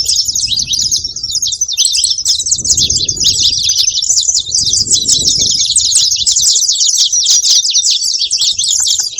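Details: Saffron finch noise: a long run of quick, piercing chirps packed into a steady high chatter, with muffled low thumps and rustling in the background.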